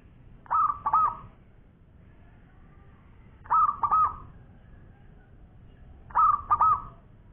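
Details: Zebra dove, local strain, singing actively in the long-voiced champion style. Three phrases of gentle double coos arrive about every three seconds, each note rounded and trilled, against a quiet low-pitched background.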